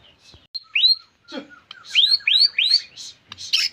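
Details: White-rumped shama singing gacor-style: a sequence of bright upward-sweeping whistles repeated about every quarter second, mixed with scratchy buzzy notes and a few soft clicks.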